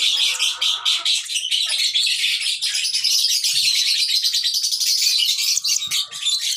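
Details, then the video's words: Baby lovebird chirping: a dense, continuous stream of high, scratchy chirps with steady loudness throughout, plus a faint thin tone lower down. "lovebird sounds baby bird - lovebird chirping sounds"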